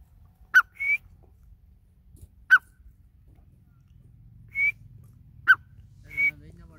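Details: Grey francolin calling: sharp single harsh notes, each followed by a short thin whistle, repeated about every two seconds over a quiet low background hum.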